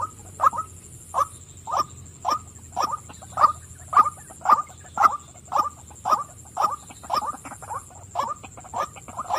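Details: Calling female white-breasted waterhen gives a steady series of loud, hoarse, upward-inflected notes, about two per second and evenly spaced, with faint clicks between them and a constant high-pitched hiss behind.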